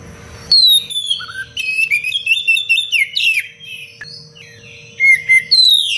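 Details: Oriental magpie-robin in vigorous song, recorded as training material for other birds, delivering a long rapid sequence of piercing whistles, slurred sweeps and harsh chips, pausing briefly around four seconds, then resuming with loud high whistles.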